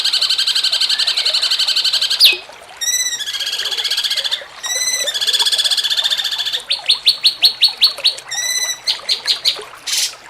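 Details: Cucak cungkok, jengking munting style master song for training contest birds: long buzzy trill, a quick falling sweep, then alternating rising-note phrases and rapid pulsed trills, ending in separate repeated chirps.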